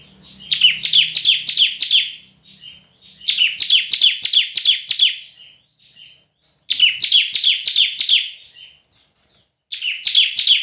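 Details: Red-whiskered bulbul in competitive singing: bursts of five or six quick, bright, down-slurred chirps, each burst lasting about a second and a half and repeated every three seconds or so, with quiet gaps between.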